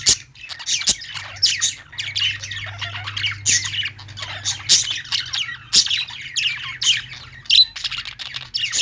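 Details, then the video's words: Budgerigars singing in a pet store: many overlapping high, scratchy chirps and squawky warbles, dense and continuous, with a faint low hum underneath. "budgies singing | parakeet chirping sounds in pet store"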